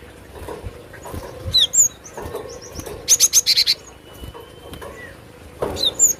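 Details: Cinereous tit (glatik batu) recording used as a lure for trapping, bird singing actively; sharp high whistled notes sliding down in pairs, a fast burst of five buzzy rasping notes midway, more whistles at the end, faint low rumble beneath.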